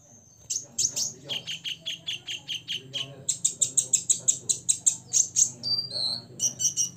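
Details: Six-year-old olive-backed sunbird, called kolibri ninja, singing to provoke rivals: fast series of sharp, high chips repeated about three per second, then a run of louder ringing notes and a brief buzzy trill near the end.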